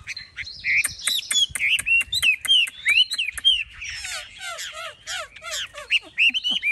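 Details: Caged Chinese hwamei, large-bodied with a spread tail, pouring out a fast, jumbled song of buzzy trills, clipped chirps and short downward-swept whistles repeated in quick succession.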